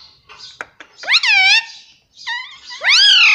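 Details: Talking pet Indian ringneck parakeet, voicing bright, high harmonic syllables: a sustained wavering note, a lower descending phrase, then a rising loud note, with a couple of soft clicks early on.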